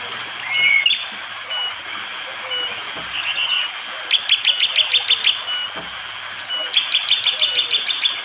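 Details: In morning forest with rain at Wonocoyo Village, East Java, Indonesia, a bar-winged prinia delivers two rapid trills of hard, clipped notes, about eight each, amid a persistent high insect whine; Android phone recording.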